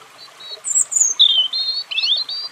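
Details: Short European robin phrase of high, pure whistles, some falling and some rising, strung together with little pause.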